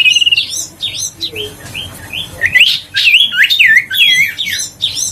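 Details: Huyt co bird in lively song meant to lure birds and get silent ones singing: a busy stream of short whistled slurs and looping phrases, briefly pausing mid-way before a dense run of twisting notes.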